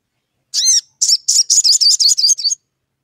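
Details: Sogon singing to call a rival and prompt another sogon to sing: one buzzy down-curving harmonic note, then a quick string of high, warbling pulsed notes over about one and a half seconds.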